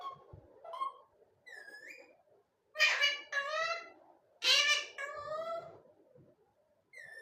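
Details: Parrot talking non stop: a mix of short whistles, rising whistled slides and loud speech-like voiced bursts that fall in pitch, delivered in irregular phrases with short gaps.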